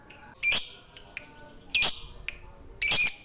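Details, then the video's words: Lovebird kept as a fighter bird in Indonesia, its sound meant to stir other lovebirds: three separate harsh, shrill squawks, each short and piercing, spaced about a second apart with quiet between. "DENGAR SEBENTAR SAJA, Segala Jenis LOVEBiRD Bakal Terpancing, Emosinya Naik FIGHTER Lanjut NGEKEK"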